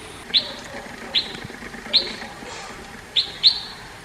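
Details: Red-whiskered bulbul in India: sharp, high chirps with short ringing tails, given singly or as a quick pair, spaced about a second apart over faint background hiss.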